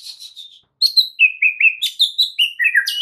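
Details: Oriental magpie-robin master song for provoking replies, soft high chatter followed by loud ringing whistles that alternate in pitch in rapid succession.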